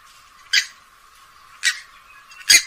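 Grey-headed swamphen giving three short, harsh, rasping squawks about a second apart, with nothing else heard but a faint hiss.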